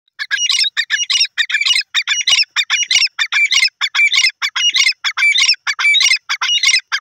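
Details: Grey francolin (desi teetar) calling: loud, harsh, squeaky notes delivered in rapid, steady bursts, roughly one and a half per second, continuing without pause for about seven seconds.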